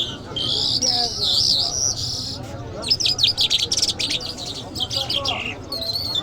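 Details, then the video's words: Iranian lark, Mashhadi type, opening with a sustained high warbled trill, then a fast series of sharp chirped notes repeated about three per second, over faint low hum. "Jal Birds Iranians Lark Sounds | صدای طرقه، مشهدي مست"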